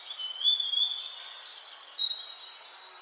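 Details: Birds at sunrise on a farm sing high, thin whistled songs with sliding, sustained notes and brief chirps over a faint background hiss.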